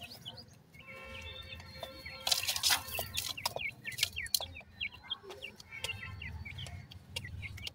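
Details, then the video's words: Feeding grey francolin chicks give rapid, high, thin chirps, many short notes sliding up or down in quick succession, with a few louder scratchy bursts and a low steady background hum. "gora teetar checks feeding,titur checks voice"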